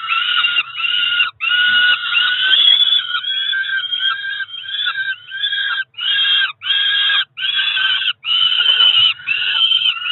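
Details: Peregrine falcon chicks, about four weeks old, two together at a Cromer nest site in June 2023, begging around feeding time with strident, drawn-out screeching notes repeated almost without pause.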